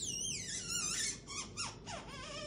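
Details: African grey parrot indoors in a small room, reacting to its owner's bird joke: a run of high, sliding whistles and squeaky chatter, some notes swooping down steeply, with a quiet room hum beneath.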